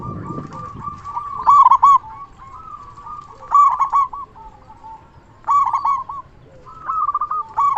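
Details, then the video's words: Local zebra dove with a big, strong voice, kept as a lure to draw replies from other zebra doves and stir breeding drive. Mellow cooing phrases near the same pitch, each ending in stressed notes, repeat roughly every two seconds over soft low murmurs. "Perkutut Lokal Gacor SUARA BESAR Ahlinya Bikin Semua Burung Perkutut Langsung Nyaut"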